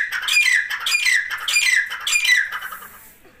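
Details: Grey Francolin chicks kept apart for warmth during winter, feeding on live food, give high, downward-sliding squeaky peeps in four clustered bursts roughly every half second, fading out at the end.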